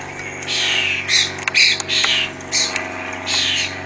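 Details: Jackdaws visit a Perthshire cottage garden at Scone, Scotland, on a spring afternoon. Short rasping calls repeat quickly and irregularly, mixed with a few sharp clicks, over a constant low background hum.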